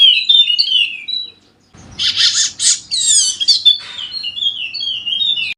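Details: Wallacean white-eye, golden-headed form endemic to Sumbawa, NTB, singing energetically as a lure to prompt lazy birds to sing; rapid high twittering phrases with sliding whistles and buzzy bursts, a brief pause, then dense chattering trills continuing to the end.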